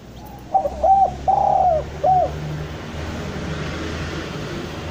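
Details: Spotted dove song played to coax doves down: one soft phrase of a hooked short coo, a long curving coo and a brief last note in the first half, then steady background hiss and low rumble.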